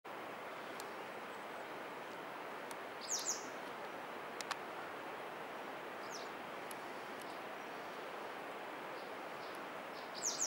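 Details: A white wagtail at Parshuram Kund, Arunachal Pradesh, India, gives sharp, high two-note calls about every three to four seconds over a steady rushing hiss like wind or running water.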